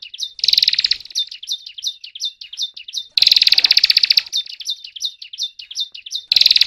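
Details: Continuous gacor song of a ciblek gunung prinia: trains of high, clipped whistled notes at a steady pace, interrupted every few seconds by loud, buzzy, rattling bursts.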